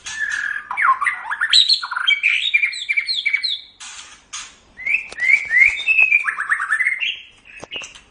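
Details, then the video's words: White-rumped shama song used to train other cage birds: fast continuous medley of looping whistles, upslurs and squeaky notes in rapid phrases, with brief pauses between runs. "Ocehan Burung Murai Batu"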